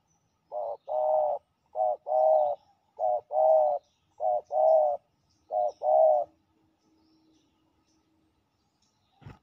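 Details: Fierce territorial male spotted dove answering at a ground decoy site. Five low two-part coo phrases, each a short note then a longer purring coo, repeat about every 1.2 seconds before silence and a final click.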